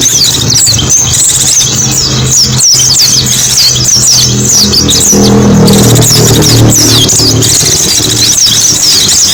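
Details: Mountain white-eye song used as a lure for small birds: rapid, high, thin twittering with quick sliding chirps running continuously, over a steady low engine-like hum and background noise.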